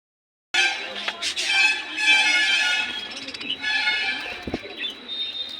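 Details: Budgerigar (Melopsittacus undulatus), chatter.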